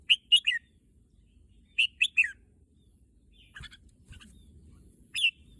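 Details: A red-whiskered bulbul eager for the contest field gives two quick three-note whistled phrases with a falling last note. A fainter rustling patch of notes follows, then one more clear chirp.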